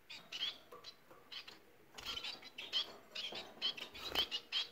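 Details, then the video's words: Bengalese finches give a sparse series of sharp, high chirping notes in short clusters about every half second, rising in activity toward the end. "Bengal ispinozu ötüşü Bengalese Finches society singing"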